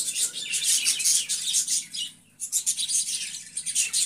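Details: Budgerigars calling, a dense continuous stream of high chirps and chattering warbles that rise and fall together, with a short lull after two seconds, as from several birds.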